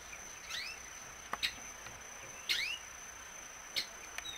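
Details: Violaceous euphonia singing: paired rising whistled upslurs, each with a lower and a higher sweep, given twice about two seconds apart. Sharp clicking taps and a steady thin high whine run through the background.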